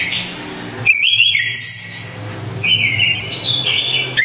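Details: Orange-headed thrush (anis kembang), Java, in very loud, clear, sharp song: ringing whistled phrases, one with a high piercing note, then rising and falling slurred whistles repeated closely over low hum.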